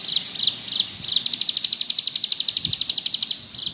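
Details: Bar-winged prinia (ciblek gunung) singing in the lively ngebrem style: four short, high, down-slurred chips, then a fast, even trill of about twenty notes lasting two seconds, and a final chip.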